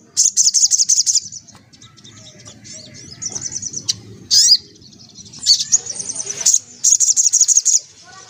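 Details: Vigorous ngelaper ngriwik song from a white-breasted woodswallow: repeated bursts of rapid, shrill, rattling chirps, with softer twittering and a few sharp chips between them.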